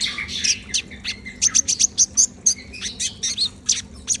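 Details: Brown-throated sunbird singing briskly: quick repeated high, sharp chirp notes, several per second, with a few lower slurred whistles woven between them and a quiet background.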